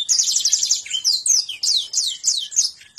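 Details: Canary singing konslet and ngentrok phrases: an opening dense high trill lasting under a second, followed by a regular string of loud downward-slurred notes about every third of a second.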